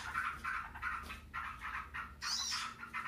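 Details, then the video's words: Yellow-vented bulbuls answering one another in a loud, continuous ngebren song: short bubbly warbled bursts in steady succession, one shrill higher phrase partway through. "TRUCUKAN RIBUT NGEBREN SAUT SAUTAN"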